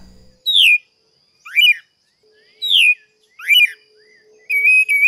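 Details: Creamy-bellied thrush song in Brazil: five short, clear whistled phrases about one per second, mostly slurred downward with some rising notes, with quiet pauses between them.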